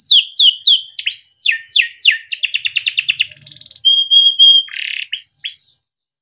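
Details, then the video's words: Yellow canary tutor song: a quick series of downslurred chirps, a rapid rattling trill, pure steady whistles, a buzzy burst and two short rising notes, ending in silence. "burung kenari gacor PANJANG untuk pancingan kenari paud || masteran kenari - yellow canary singing"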